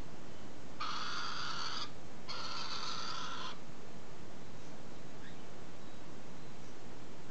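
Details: Galah recorded on 21 July 2015, giving two harsh, raspy screeches of about one second each, separated by a short pause, then quiet with a steady low background hum.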